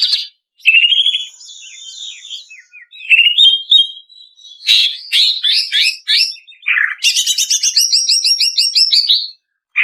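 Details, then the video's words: Female greater green leafbird (cucak ijo) on lure audio for training cage birds: slurred whistles and chirps, short chattering bursts, then a long, even rattling trill near the end. "Suara Cucak Ijo Betina"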